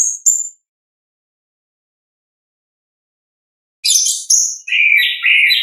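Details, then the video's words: Orange-headed thrush in ngeplong style, natural voice: a short high whistle, a long silence, then a burst of buzzy high notes and rich warbled phrases near the end. "ANIS KEMBANG GACOR, pancingan suara asli alam anis kembang"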